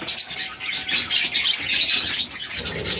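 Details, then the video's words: Budgerigar chicks, six in the brood, being fed by their mother; dense raspy high chattering comes in rapid pulsing bursts, about four per second, with faint thin whistled notes on top. "Budgies baby feeding || Mother budgies feeding her cute babies"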